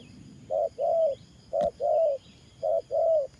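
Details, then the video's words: Ground-trapping decoy spotted dove giving 'thổ pha' style coos: three paired phrases, each a brief low hoot then a drawn-out mellow coo, evenly spaced, with a click and faint background chirping. "Thổ Pha Nước Gù AE Tự Thẩm.Clip288_ Nết Gù coi sướng mắt"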